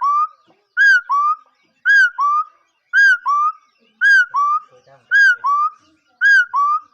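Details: Bird giving paired whistled notes, the first rising and arched, the second lower and slurred upward, pairs repeated roughly once a second in a regular rhythm; faint low knocks between phrases, otherwise quiet.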